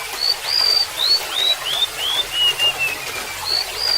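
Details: High sweet whistles from a golden-bellied gerygone, a series of upslurred notes stepping down in pitch, then starting again near the top, over running water.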